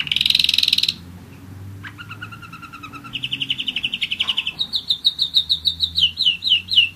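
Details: A loud buzzy burst opens this one-year-old German Roller-split canary's song. After a pause come stuttered low notes, then a smooth rolling tour, ending in a string of rapid downslurred whistles.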